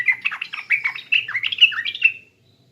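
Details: Sooty-headed bulbul from East Java pours out a quick pancingan lure phrase of warbled, chattering notes for about two seconds, ending in a drawn-out fading whistle.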